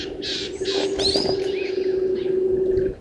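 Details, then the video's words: Rattling cisticola singing below a waterhole camera at Gowrie dam, Djuma Game Reserve, Sabi Sand, South Africa, at 06:31 on 13 September 2023. Two dry, buzzy rattling bursts open the clip, with a thin whistle and a steady low hum behind. "Rattling Cisticola below cam"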